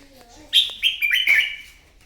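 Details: Morning duel song of a wild-caught red-whiskered bulbul: a single short, loud phrase of three bright whistled notes sliding together, preceded by faint low tonal sounds.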